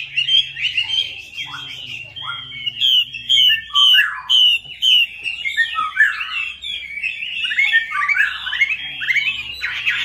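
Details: Melodious laughingthrush song played as a lure for birds that have stopped singing, described as chatty and full of varied filler: ten seconds of loud, varied whistles, clusters of sharp repeated down-slurred notes and warbled runs over a low hum.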